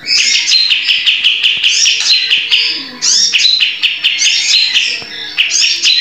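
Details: Energetic singing from a caged sooty-headed bulbul used to train other birds: dense bursts of sharp chirps and up-slurred whistles, a short break near the middle, then the chattering phrases resume at full volume.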